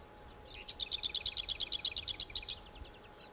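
Lesser whitethroat: a brief soft warble runs into a fast, dry rattle of about fifteen even, high notes on one pitch, over faint background hiss.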